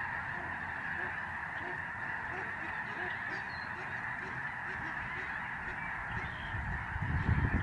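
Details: Large flock of Lesser Snow Geese in flight over the George C. Reifel Migratory Bird Sanctuary, Canada, November 2011. Nearer birds give distinct, repeated nasal honks over a roaring chorus, and a low rumble comes in at the end.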